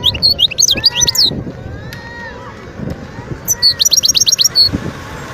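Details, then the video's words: Wild European goldfinch recorded in Skikda, Algeria, in 2022: sharp twittering notes open the passage, then after a pause a rapid series of bright repeated chips and a closing twitter. "اسمع واستمتع صوت الحسون البري"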